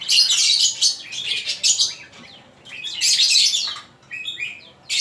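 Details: Male magpie-robin singing, recorded as master material for training other birds: bursts of dense, high, chattering and twittering phrases separated by brief pauses, over a steady hiss of background noise.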